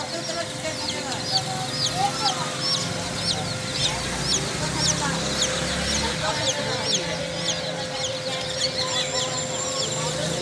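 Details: Chicken chicks cheeping nonstop: many sharp, high descending peeps, roughly two a second, blending into a busy chorus, with faint voices and a constant background hum.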